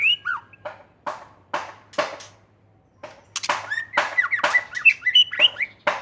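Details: White-rumped shama from Aceh in full, vigorous song: harsh, rasping notes at first, then a fast medley of bright whistles and twittering slurs, over a faint low electrical hum.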